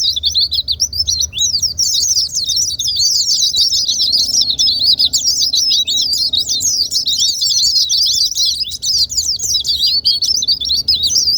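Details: White-eye song used as a lure to get quiet white-eyes singing: a long, unbroken, rapid twittering of high, thin, slurred chirps that overlap densely, with no pauses throughout.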